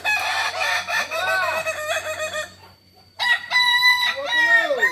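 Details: Kukuak balenggek chicken singing contest final, Ampang Kualo, Kota Solok, Sunday 8 September 2024: two bursts of crowing split by a brief hush, each a fast chain of arched, stepped notes, with crowd noise underneath.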